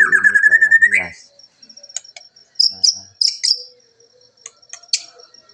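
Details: White-rumped shama, Nias bloodline, at dawn around 5:30 while being dewed, gives short scattered bursts of high sharp whistles and chips; a man speaks at the start. Voice still hoarse, not yet at full power, moulting, upper bill broken.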